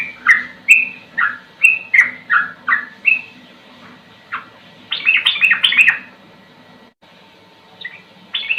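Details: Sooty-headed bulbul in a slow song with a fast rolling 'ropel' style, recorded as a tutor track; magpie robin sounds also appear. Short liquid whistled notes repeat about every half second, then a dense chattering burst; faint low hum beneath.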